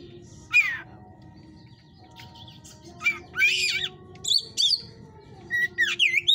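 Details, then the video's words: White-rumped shama of the hot type kept in a breeder's cage, singing scattered phrases: sharp downslurred notes, a buzzy rasping burst, then high whistles and fluty looping notes toward the end over a faint hum. "Bunyi kacer tipe panas"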